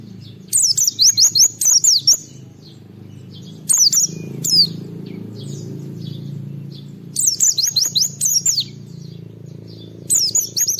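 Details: Oriental white-eye repeating quick bursts of high, down-slurred notes in rhythmic groups, with pauses between bouts over low background hum; song played so other white-eyes join in.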